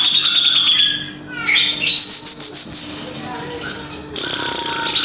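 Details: Javan grey-cheeked bulbul (cucak jenggot jawa) giving high chirps and whistled notes, then a run of rapid, evenly pulsed buzzy notes, ending in a harsh, noisy burst over a steady low hum.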